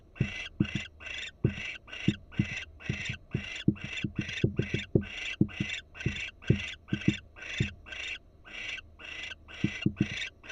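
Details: Barn owl at a Florida nest site on camera, the female suddenly attentive: long sequence of rhythmic hoarse rasping bursts, roughly two per second, with frequent low knocking clicks in between.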